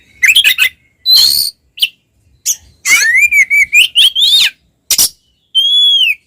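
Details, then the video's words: Caged oriental magpie-robin in full fighting song meant to provoke rival males: sharp chattering notes, a long rising and wavering whistle, then a clear drawn-out whistle ending on a drop. "SUARA BURUNG kacer gacor NGEPLONG TARUNG konslet paling AMPUH buat PANCINGAN KACER agar EMOSI"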